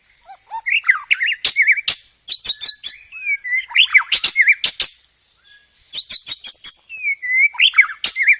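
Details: White-rumped shama master song made for training cage birds, full of varied fill-in phrases: bright whistled notes and quick slurs, loud bursts separated by short pauses, with sharp clicking accents.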